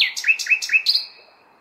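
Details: Short nightingale phrase from a May night in a city: four quick rising whistled notes repeated at an even beat, ending in a higher drawn-out note.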